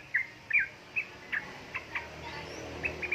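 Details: Yellow-vented bulbul, female calling male, played to coax lazy birds into song; loud chirped notes at the start followed by softer repeated chirps about twice a second.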